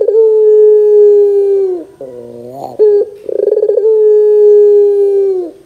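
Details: ['Two long, level coos of a Barbary dove frame a lower, wavering middle passage and a quick rattling roll. The recording serves as a lure to set young doves calling.']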